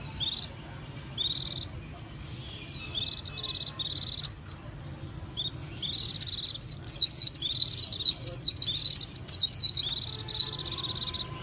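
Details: Japanese white-eye starting with scattered buzzy chatter and a thin sliding whistle, then breaking into a long, high, rapid warble of zigzag notes against steady background hiss.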